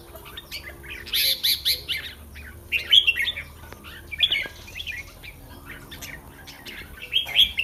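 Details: Red-whiskered bulbul in a cage on the day before competing: a loud rattly burst, then several short liquid warbled phrases amid light clicking and tapping.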